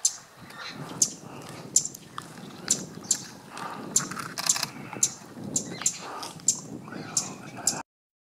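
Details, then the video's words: A Pale-billed Flowerpecker in Sri Lanka gives sharp, very high ticking notes, about one every half second, over a soft murmur of background noise. "Flowerpecker Pale Billed"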